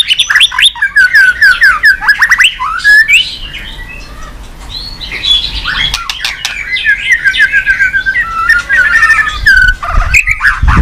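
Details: Excited white-rumped shama, tail-flicking on the perch floor after being stimulated to sing: long bursts of rapid warbling and whistled phrases, broken by sharp clicks, with a brief quieter stretch midway.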